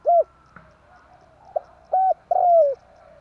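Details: Spotted dove, tarik akar lure call for catching birds: a short falling coo, a faint click, then level coos ending in one long, slowly dropping note.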